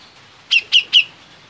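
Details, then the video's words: A kept, in-form grey-cheeked bulbul (cucak jenggot), a popular songbird, gives three quick, bright, slightly falling notes about a fifth of a second apart, high-pitched and clear over a faint hiss. "Burung Berkicau Gacor (Cucak Jenggot)"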